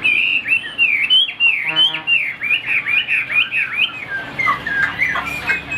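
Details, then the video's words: Singing Chinese hwamei kept as a songbird: a fast sequence of ringing, looping whistles of varied pitch, followed by buzzier, rougher phrases near the end. "Tốc độ mỏ quá ok, đầu mặt đẹp chất giọng cực kỳ hay | Họat Họa Mi"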